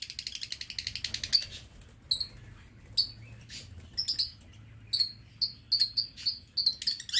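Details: Caged aviary lovebirds: a fast rattling run of high chirps, then sharp, piercing single and paired squeaks repeated irregularly about once a second.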